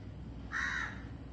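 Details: One crow gives a single harsh, raspy caw lasting under half a second. Recorded on a phone at 06:03 am during a natural morning chorus with cuckoos and other birds, over a low, steady murmur of wind.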